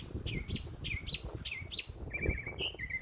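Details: Birds chirping in a backyard on a summer day: quick high chirps sliding downward, repeated in short bursts, then a run of even, level notes near the end, over low rumbling background noise.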